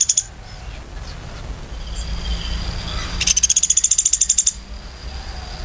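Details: A quiet, hissy stretch gives way to one brisk burst of a dozen or so sharp, very high woodpecker notes in quick even succession, then quiet again.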